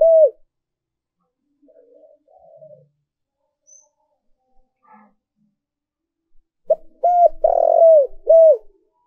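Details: Decoy spotted dove cooing to lure and provoke wild doves: after near silence, a rapid run of short, hollow, mellow coos with one longer drawn-out note in the middle, delivered in a quick burst near the end.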